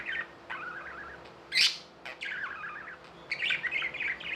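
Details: Budgies warbling in chattering phrases of descending, wavering whistled notes, interrupted by one loud harsh squawk, then more rapid chirping over a faint hum.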